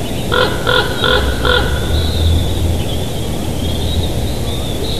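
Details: Bald eagle pair at a Big Bear Valley nest, live nest cam, 7 July 2023, morning; four quick high piping notes in a row, followed by a drawn-out thin whistle, with low wind rumble throughout.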